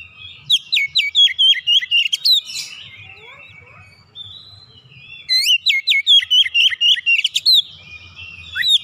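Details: Household Oriental magpie-robin singing intensely after hearing another bird, running through its repertoire. Two long volleys of loud, rapid, sharply rising whistles, roughly two per second, are separated by softer descending chirps.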